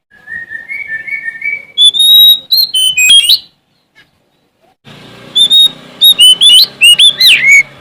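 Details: Oriental magpie-robin of the Sumatran type singing to find an opponent: soft rising whistles build into loud clipped phrases, a brief pause, then a burst of sharp slurred notes over a steady hiss.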